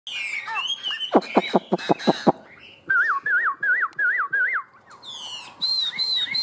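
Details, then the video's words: Caged Chinese hwamei, a large yellow-legged bird kept for its strong singing, gives a loud wavering whistle repeated about six times in a row, after a burst of sharp clicking notes and a few high slurred phrases. "Họa mi Đẹp Chơi Cánh Chơi Đuôi, Hót Hét Tốt"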